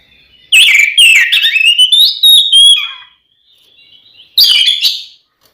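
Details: Oriental magpie-robin (kacer) in full fighting song, used to provoke rival magpie-robins into agitation; loud rich phrases of whistles and sharp notes sliding between high pitches, a pause, then a final burst.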